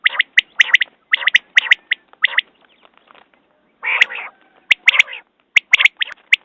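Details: Common quail calling: groups of sharp, clipped notes, each with a buzzy harmonic start, come in quick runs of two or three. A pause follows, then a broader nasal note opens a fresh series. No other sounds are heard.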